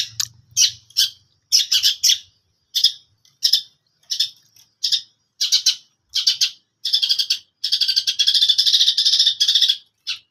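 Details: Long-tailed shrike singing: harsh, raspy chattering bursts in irregular groups, quickening into a long unbroken scratchy run near the end before one final short burst.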